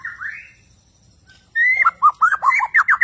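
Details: White-rumped shama of the Borneo type, described as bowing and very active while singing. One rising whistle fades into quiet, then a rapid burst of loud, clear, swooping notes follows at about four per second.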